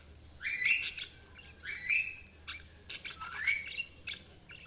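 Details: Budgies chirping: several rising, whistled chirps with buzzy overtones, repeated irregularly about once a second, with scattered clicks between them over a faint steady hum.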